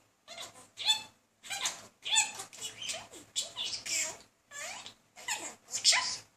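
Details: Pet talking budgerigar, a male courting a female with persistent chatter indoors; bursts of scratchy, warbling notes with harsh buzzy clicks, separated by short pauses, loud and close throughout.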